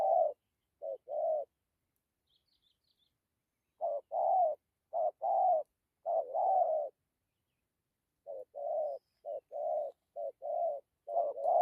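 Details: Spotted dove in bursts of low, hollow coos, short-long pairs delivered in runs separated by pauses of a few seconds. No other sounds intrude.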